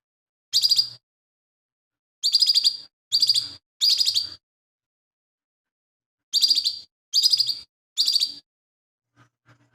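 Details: Chatty lesser green leafbird singing mimicked phrases, used as a training master for other songbirds; short, high, rattling chirp bursts, each about half a second, in two loose clusters of three or four with pauses between.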